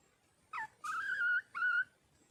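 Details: Wild red junglefowl hen calling for a male: three clear tonal notes, a short falling one, then a longer level wavering note and a shorter one, in a quiet setting.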